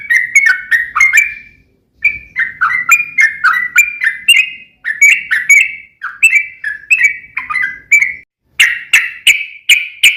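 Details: Sooty-headed bulbul song used as a lure to make other bulbuls answer: long rolling runs of bright, bubbly whistled notes repeated rapidly in phrases separated by short pauses, loud and clear with no other sounds.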